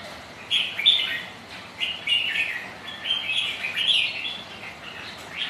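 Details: Rival red-whiskered bulbuls in a rainy-day singing match, giving crisp, chirping whistles in repeated short bursts across five seconds with a steady background hiss.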